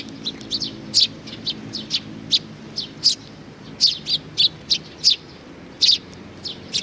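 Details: A group of sparrows coming to be fed, May 15, 2019, chirping steadily: short, high, piercing notes in quick irregular succession, sometimes paired, against a quiet low drone.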